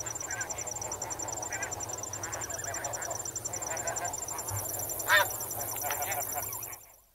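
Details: Snow geese calling as a flock while on the water, scattered nasal calls building to one strong honk near 5.2 seconds, then fading out; crickets chirp constantly.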